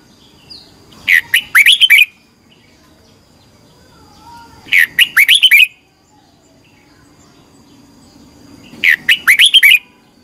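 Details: Morning competition singing of a red-whiskered bulbul, 'twisted voice' style, used to stimulate and train birds. Three crisp warbling phrases of a second each, separated by nearly four seconds of quiet, with a low faint background murmur.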